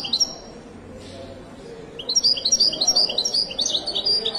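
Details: Moroccan Widani goldfinch opening with a short chirp, then after a pause launching into a brisk run of high, bright, repeated twittering notes that continues to the end.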